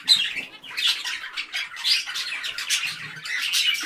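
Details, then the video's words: A chorus of parakeets chirps in rapid, uneven bursts of scratchy squawks and high twittering notes that overlap constantly, with a slight low hum beneath. "Parakeets Chirping Sounds"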